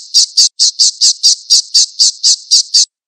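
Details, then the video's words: Falcon's harsh chattering call: a quick run of about eleven rasping high notes at an even pace, then an abrupt stop into silence, from a master call recording. "SUARA MASTERAN BURUNG ALAP-ALAP"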